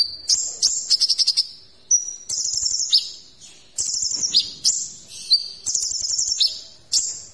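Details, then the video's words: Kolibri ninja sunbird singing a rich, varied tutor song with sharp 'shooting' notes. Quick stuttering trills alternate with thin, high, drawn-out whistles and descending slurs, delivered in short bursts with brief pauses. "Masteran Kolibri Ninja Isian Mewah"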